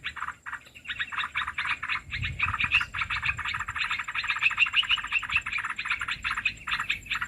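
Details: Olive-winged bulbul sound used as a lure for trapping birds: dense, rapid chattering notes repeated almost without pause, scratchy and mid-to-high pitched, with a faint steady high whine in the background.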